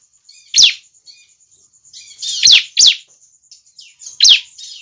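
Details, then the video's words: Juvenile bar-winged prinia call, used for luring wild prinias closer: loud, piercing down-slurred chirps, irregularly spaced, a pair close together mid-sequence, softer twittering between them and a steady faint high tone. "Suara burung ciblek"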